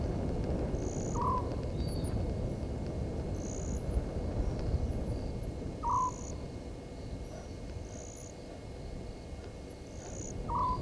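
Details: At night (00:40, 17 November 2019) at Gowrie dam waterhole, Djuma Game Reserve, Sabi Sand, South Africa, a southern white-faced owl gives short, fluttering hoots about every five seconds over a low rumble, with regular insect chirps.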